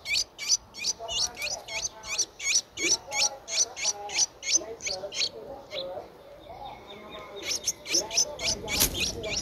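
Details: Streak-eared Bulbul nestling aged ten days in Ubon Ratchathani, Thailand, recorded 12 April 2023, giving quick repeated high thin squeaks around three a second, pausing briefly midway before resuming with a louder burst.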